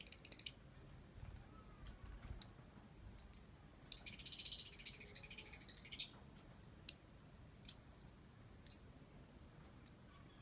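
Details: Lovebird praised as a good singer, giving sharp, very high chirps in short clusters, with a scratchy burst of rapid chatter midway and scattered single notes at the end.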